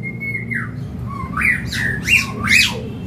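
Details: A caged common hill myna at a bird market kiosk, said to talk and to respond when whistled to, gives three loud, harsh, arching squawks about half a second apart after a thin steady whistle, in a quiet indoor space.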